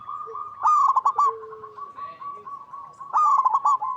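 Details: Zebra dove, a local bird, cooing in a soft, bubbly series of rapid notes, two loud bursts of stuttering coos with quieter continuous cooing between them and a faint lower call.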